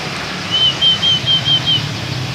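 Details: Oriental white-eye, pleci dakun, giving canary-shot (tembakan kenari) phrasing: six short, level, pure whistles on one pitch, evenly spaced a little over two per second, over a soft steady low hum.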